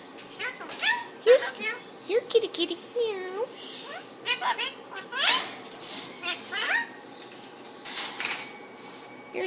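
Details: Caged Indian ringneck parakeet talking to its owner and to another bird in the neighbouring cage: squeaky, warbling speech-like phrases with rising and falling tones, mixed with a person's voice and a few clicks.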